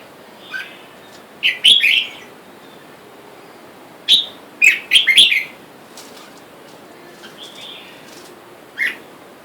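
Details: Caged red-whiskered bulbul pair, male and female taken from the wild, while wild birds call for a mate outside; the pair take turns chasing and pecking. Loud bubbly chirp bursts come in clusters, separated by quiet gaps with faint notes.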